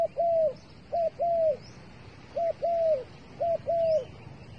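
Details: Trapper's bait dove repeating a two-part coo, a quick short note and a drawn-out falling one, four times at regular spacing, with faint high chirps of small birds behind.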